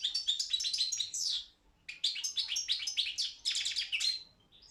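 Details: European goldfinch of the Balkan subspecies Carduelis carduelis balcanica, an entry in an online world goldfinch song championship: rapid twittering bursts of high, buzzy and tinkling notes, a pause near mid-clip, then another long twittered phrase.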